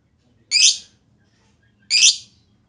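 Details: Lovebird lure sound meant to make other lovebirds sing: two loud, harsh, squawking chirps about a second and a half apart, each lasting a quarter second, in quiet surroundings.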